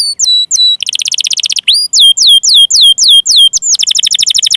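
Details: Canary song used to prompt stalled, lazy or young canaries into singing: sharp downward-swept whistled notes repeated in quick series, switching to a rapid buzzy trill, then more drooping whistles and a fast rattling roll.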